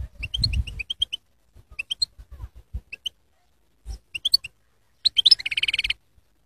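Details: Goldfinch singing: bursts of high, tinkling twittered notes in short clusters, ending in a rapid buzzy trill near the sixth second, with faint low thumps in the background.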